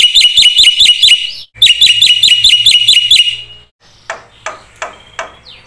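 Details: Black-winged myna in full 'isian' song, two runs of rapid, bouncing whistled notes repeated evenly, then the singing stops and only scattered faint clicks and taps follow.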